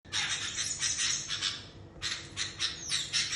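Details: Sooty-headed bulbul giving harsh, buzzy calls said to sound briefly like a duck: a run of broad, noisy notes repeated about every quarter second, a short pause, then another burst.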